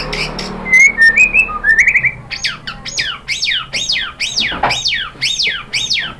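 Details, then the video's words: White-rumped shama song for provoking other shamas: short whistled trills give way to a steady run of loud, downslurred notes repeated roughly twice a second. "OCEHAN MURAI BATU Untuk Merangsang BUNYI jadi NYAUT GACOR"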